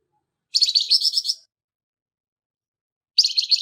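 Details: Flamboyan bird giving its rough song, recorded as tutoring material for songbirds: one grating phrase of rapid pulsed notes lasting about a second, a long silence, then the start of another harsh burst.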